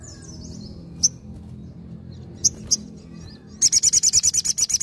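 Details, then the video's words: Sogon in vigorous nembak ngalas song: scattered short high chirps, then a fast run of shrill, evenly spaced high notes that continues to the end, with a low rumbling background. "SOGON GACOR NEMBAK NGALAS"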